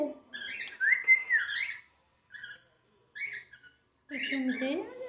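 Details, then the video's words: Jealous pet cockatiel interacting with its mother: a long whistled phrase rising and falling, a few short chirps after pauses, then a woman's voice at the end. "Calopsita com ciúmes interagindo com a mãe"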